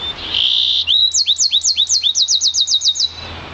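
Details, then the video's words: Yarrell's siskin × canary mule, one year old, from an intensive green Fife canary: a harsh buzzy opening note, then a rapid even series of about fifteen high, looping whistled notes, quickening toward the end. "Yarrell's Siskin mule"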